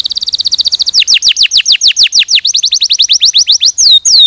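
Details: Clear canary song used as a master recording for young canaries, opening with a rapid level trill and moving into a long series of loud, downward-sweeping whistled notes, ending with swooping hooks.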